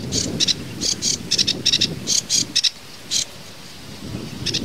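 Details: Sedge warbler giving broken bursts of scratchy, chattering notes in clusters of two or three, with short pauses and a low hum underneath.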